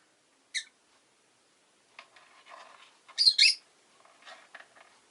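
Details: Rosy-faced lovebird kept as a pet, one of two birds newly joining a household: a lone short shrill chirp, then a loud sharp double chirp after a murmur of background street noise.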